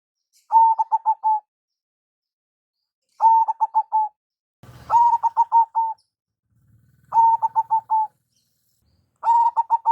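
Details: Local zebra dove giving a lure call: five bursts of rapid staccato cooing notes, each phrase about a second long and repeated every two seconds, with a brief low rumble between two phrases.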